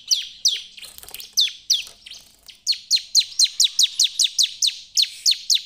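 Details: Bar-winged prinia lure song, ciblek style, to get other birds singing: spaced descending chirps at first, then a fast rhythmic run of crisp falling notes.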